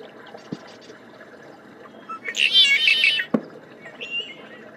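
A Tricolored blackbird gives a harsh, buzzy, nasal burst of song lasting about a second, with a few thin chirps and clicks around it.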